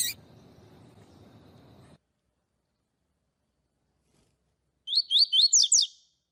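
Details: Tui-tui song of a double-collared seedeater, meant to stir up other seedeaters and tutor young birds. After a burst of low hiss and then silence, one rapid phrase comes: several quick rising whistles ending in steep downslurred notes.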